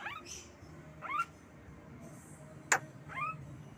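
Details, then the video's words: Javan myna kept as a pet uttering quick upslurred chirps roughly once a second, plus one sharp clicking burst, over a low indoor hum. "Jalak kebo"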